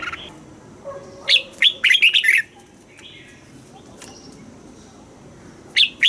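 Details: Red-whiskered bulbul song from Thailand in the southern master style, played to excite caged birds and teach young birds: a quick burst of bright, chirpy whistled notes, a long quiet gap, then one more short phrase, over faint low background hiss.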